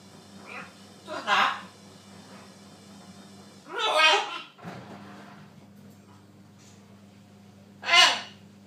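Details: A talking macaw parrot makes three spaced, rough, word-like squawks, each short and harsh, with softer murmurs and a constant low indoor hum underneath.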